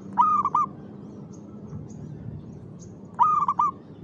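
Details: Zebra dove (perkutut) singing vigorously at 5 pm in the afternoon; two mellow cooing phrases about three seconds apart, each a quick stuttered coo run into drawn-out notes, over a low steady hum.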